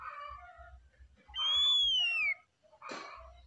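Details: One arched, pure whistle from an oriental magpie-robin, rising slightly, then gliding down, during relaxed song, followed by a short rough noisy burst and soft murmuring notes.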